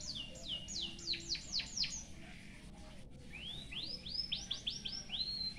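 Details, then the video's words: A white-headed munia delivers canary-like song for tutoring: a rapid string of sharp falling notes, a brief pause, then a rising run of arched whistles spaced closely, with steady low background noise. "BURUNG EMPRIT HAJI FULL ISIAN KENARI BIKIN GOYANG GOYANG COCOK BUAT MASTERAN"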